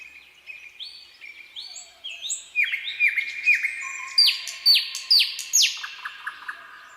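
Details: Nightingale song on a quiet midsummer night, building from soft high whistles to a series of loud, sharply falling notes, each repeated at an even pace, ending with a low steady tone and short clicks.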